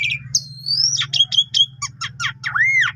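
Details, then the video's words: Javan pied starling in full, lively song, used as a 5 o'clock lure and a tutor recording for canaries: a high whistled slide, rapid buzzy chatter notes, then a clear rising-falling whistle, over a steady low hum. "Pancingan Jam 5 !! Jalak Suren Tio Gacor Isian Full Cocok Buat Masteran Burung Kenari"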